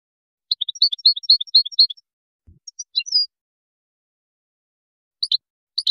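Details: Authentic Moroccan goldfinch, Widani composition, 2019: a lively phrase of about ten high liquid chirps, then a few scattered twitters and two isolated sharp double notes near the end.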